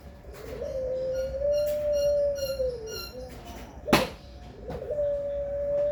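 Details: Long puter pelung coo from Indonesia, a mellow tone that rises slightly, holds for about two seconds and sags, followed by a sharp click and a second long level coo.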